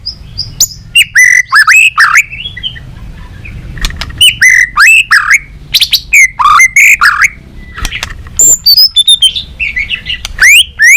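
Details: Balak 6 song of a white-rumped shama, played to lure birds for capture: dense, energetic sequence of ringing whistles, upward-flicking notes and clipped chips, repeated roughly every second or two, with a quiet low background hum.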